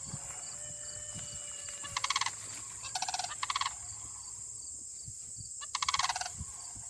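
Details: A pair of Sandhill Cranes calling back and forth: short rolling, rattling bursts spaced a second or more apart, with a steady high-pitched hum throughout.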